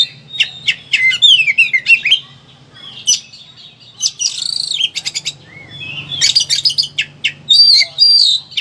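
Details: Oriental magpie-robin (kacer) in high excitement, kept as a songbird and used to prompt quiet birds into singing; a varied, rapid mix of sweet whistles, warbled sweeps and harsh raspy bursts, with a faint low hum underneath.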